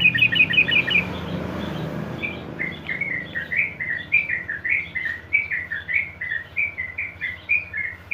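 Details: Yellow-vented bulbul used as a lure recording to prompt other bulbuls into long continuous song: a quick burst of bright chirps, then a long, continuous run of bubbly, warbled notes over a low hum.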